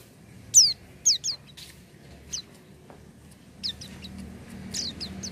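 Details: Oriental white-eye (pleci) singing actively: a busy series of sharp, very high falling chirps, some in quick pairs, ending in a dense cluster of twittering notes over low background noise.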